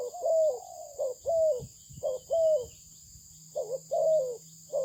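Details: Spotted dove of a Malaysian breed, valued for its good voice, cooing in paired phrases: a short coo then a longer, gently falling coo, repeated with pauses, over a steady high-pitched background hum.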